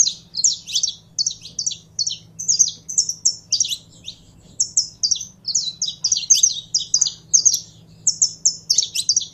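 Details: Saffron finch in a long run of energetic song: sharp chirps alternate with short flat whistles in rapid, uneven bursts, nearly twice a second. A low steady hum is present.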